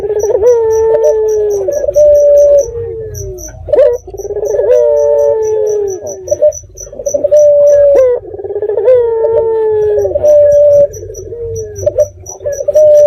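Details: Local red-eyed dove lure recorded at night to provoke responses from other doves: a series of about four coo phrases, each a rough rolling note then a sustained falling tone, amid steady high insect ticking.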